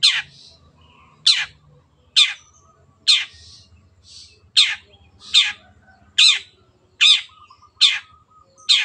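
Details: Long-tailed shrike in song, kept as a cage bird; loud harsh, rasping notes sweeping downward, repeated roughly once a second in a steady series, with faint low hum underneath.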